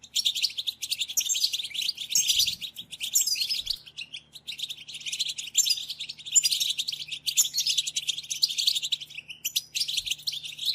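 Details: European goldfinch twittering, part of a recording used to stimulate silent goldfinches to sing. Softer, buzzy, fluid high warbles run in long, blurred phrases, with a faint low hum underneath.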